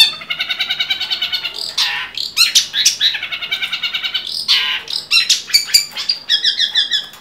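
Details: Long-tailed shrike in full song, serving as a tutor for other songbirds: rapid runs of buzzy, harmonic-rich notes repeated in quick rhythmic series, broken by harsh grating bursts and a few sharp clicks.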